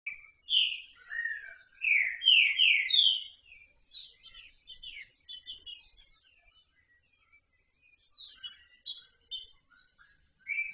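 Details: A female Green-winged Saltator, loose (not caged), gives bright, chirping, slurred notes in quick bursts, rising and falling, soliciting mating, with short pauses between phrases.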